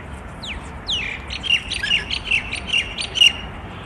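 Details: Rainbow lorikeets, a wild pair visiting a balcony in Melbourne, Australia, chattering noisily: a rapid run of harsh, grating squawks repeated several times a second, growing louder toward the end.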